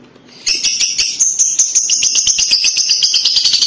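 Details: Lovebird of the paud type lured by a recording into kekek chattering: after a brief quiet start, a sustained, rapid, shrill buzzing trill of pulsed notes.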